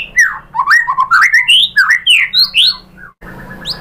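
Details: Lure song of a white-rumped shama, or murai batu, to get other birds answering: bouncy sequence of whistled notes climbing and dipping, several quick rising slurs, then a brief pause and one high note at the end.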